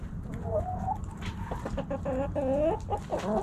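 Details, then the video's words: Backyard hens snacking at Thanksgiving cluck continuously: nasal, slightly rising and falling calls, some drawn out and others clipped, in an irregular chatter over low background rumble. "Backyard Chickens Thanksgiving Snacking Sounds Noises Hens Clucking Roosters Crowing!"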